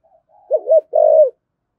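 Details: Spotted dove, 'thổ sấm' voice, giving one cooing phrase: a soft lead-in, two brief rounded coos, then a sustained deep coo that fades out.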